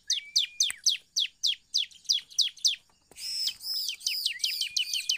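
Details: Bar-winged prinia (ciblek) lure song meant to draw other birds into singing: steady, evenly spaced high downward-slurred notes, roughly four per second, with a thin level whistle under the first notes, then denser buzzy arched phrases.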